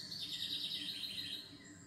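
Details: Bird pouring out a rapid, high-pitched twittering warble for most of the clip before it tapers off, with faint higher chirps near the end and a steady low background hum.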